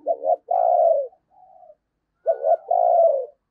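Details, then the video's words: A lure spotted dove coos in the thúc gù manner for catching wild doves at Tết. Two phrases, each a rapid double note and a long low falling coo, with a quiet coo in between. "Tiếng Chim Cu Mồi Thúc Gù Cực Hay và Hắp Dẫn Để Anh Em Kích Bổi Mùa Tết"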